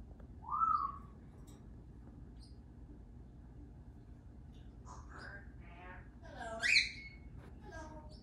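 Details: A pet Congo African grey parrot in a New Jersey backyard gives a rising whistle, then speech-like chatter ending in a sharp, loud squawk-whistle, while starlings, sparrows and other feeder birds call faintly over a steady hum.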